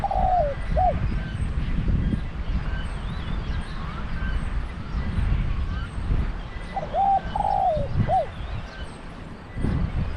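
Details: Zebra dove in Thailand, recorded during decoy trapping with a pen trap: two soft, low cooing phrases, one near the start and another later, with short rising and falling notes, over a steady rumbling background noise.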